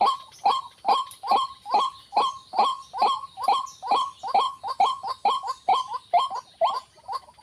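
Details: White-breasted waterhen (ruak-ruak) calling in a long, regular series of loud, harsh, clipped croaks, a little over two per second, each sharply accented and evenly spaced.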